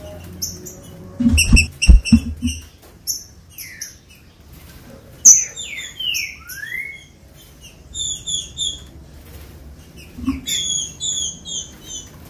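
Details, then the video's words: ['Green-winged saltator singing, a recording meant to excite captive birds into song. Clear whistled phrases: paired short notes, then long descending slurs and a rising whistle, sharp chirps near the end; clattering noises at the start.'] "TRINCA FERRO OUVIU CANTOU O MELHOR CANTO PARA ESQUENTAR FOGUEAR LEVANTAR SEU TRINCA FERRO"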